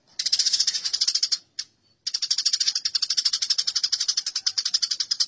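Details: Fighting house sparrows give a long, continuous, high, harsh chatter of fast pulsed notes. It breaks off briefly near the start and then runs on unbroken to the end.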